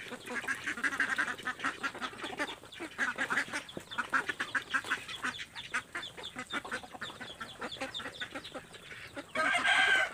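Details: Ducks pushing each other to get at scattered feed: irregular rough quacks mixed with many sharp pecking clicks, ending in a sudden loud, strained burst of calling.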